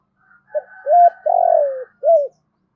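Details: Captive decoy spotted dove calling to lure wild doves: a short low coo, then a louder clipped note, a long rolling coo that slides downward, and a final arched coo, all mellow and low-pitched in a quiet setting.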